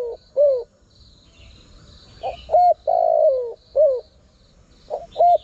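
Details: Spotted dove coos played to lure wild birds. A hooked note and a clipped coo open the clip. After a pause comes a fuller phrase of rising notes, a long sliding coo and a falling note, then another opening pair. Faint chirps sound in the background.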